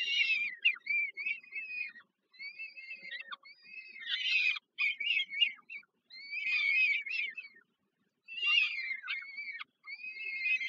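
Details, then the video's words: Peregrine falcon young begging while fed by their mother at dinner, Żerań, Warsaw, Poland, July 2022; quieter, thin whistled wheezes in quick rapid series, several per second, with irregular pauses and some harsher bursts. "Sokół wędrowny Warszawa, Termika Żerań (PL)- kolacja, Nela karmi maluchy"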